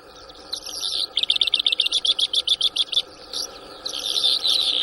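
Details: Newly caught Bimaculated Lark, Shamani, Lakki Marwat, 6 March 2024: a scratchy phrase leads into a rapid run of roughly fourteen sharp repeated notes, then continuous high twittering, over a faint background hum.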